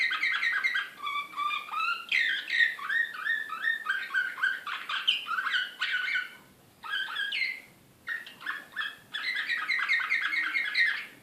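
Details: Excited Serbian Slavujar canary from Belgrade, 2016, pouring out long phrases of rapid rising and falling chirps and ringing trills, broken by two short pauses.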